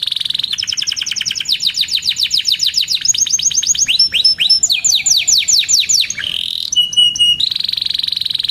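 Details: Canary in long varied song, meant to coax stalled canaries into singing: buzzy note, fast trills of downslurred chirps, high clear pips, and a closing rolled buzz.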